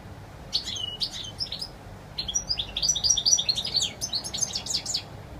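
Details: European goldfinch in clear wild song, delivering rapid liquid twitters and chirps in two bursts separated by a brief pause, notes tumbling quickly and mixing sharp tweets with short trills.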